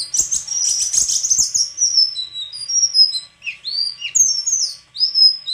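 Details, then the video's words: High, fast chattering twitter from a white-throated flycatcher, giving way to separate clear whistled notes and sweeping upslurred squeaks with short pauses between them. "Sikatan krongkongan putih suara gak kalah sama burung kicau lain"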